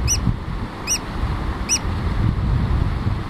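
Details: Adult Eurasian oystercatcher with its chick: three short, sharp, high piping notes spaced under a second apart, over constant strong wind rumble.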